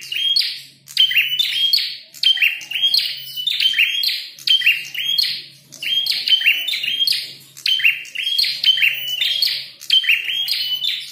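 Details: A prinia, described as a red-headed prinia (prenjak kepala merah) in a fight, sings loud, sharp, high chirps in rapid bursts about every second, energetic and insistent, with a faint low hum behind.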